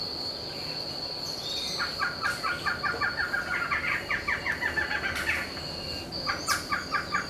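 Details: A pair of barred antshrikes in a backyard in Itupeva, São Paulo state, Brazil. One long accelerating series of clipped, descending nasal notes is followed by a second shorter burst, with constant shrill insect buzzing behind.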